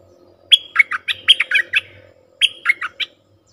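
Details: Bulbul call played to lure wild birds: two bursts of lively chirping. The first has about seven quick notes sliding up and down, and a shorter four-note phrase follows after a pause.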